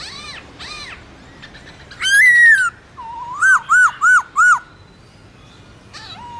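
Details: Black-throated laughingthrush singing in the morning in a wild voice to stimulate caged birds: a rising slurred whistle, then four evenly spaced, arched, ringing notes in quick succession before quiet.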